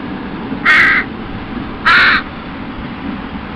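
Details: Crow family patrolling its breeding ground after leaving a bachelor flock, the young begging parents that now rarely share food: two strong, rasping caws roughly a second apart, then quiet background noise.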